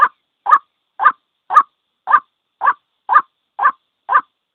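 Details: Single white-breasted waterhen lure call, the ruak-ruak sound used to draw birds into traps: nine regular, clipped croaks spaced about half a second apart.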